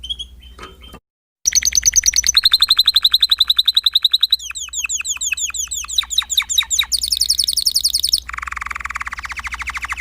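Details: Spanish Timbrado canary, recorded somewhat softly, singing a sequence of fast trills at changing pitches, sliding chirped series, a very high buzzy roll and a lower rattling trill.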